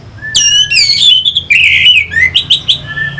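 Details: Orange-headed thrush song to stimulate fighting birds: loud descending whistles and harsh slurred notes, a burry drawn-out phrase, then rapid clicking notes, over a faint low hum.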